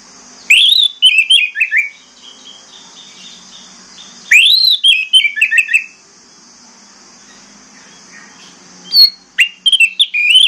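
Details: Orange-headed thrush lure song for getting quiet birds to sing: repeated phrases that start with a sharp upward whistle and cascade through fast slurred notes, three phrases spaced roughly four seconds apart, steady faint hum.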